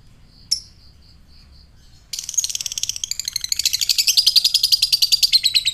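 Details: Lovebird fighter provoking other lovebirds: a sharp chip and a few faint high notes, then a sudden onset of fast, piercing ngekek chatter, pulses accelerating and intensifying until the end.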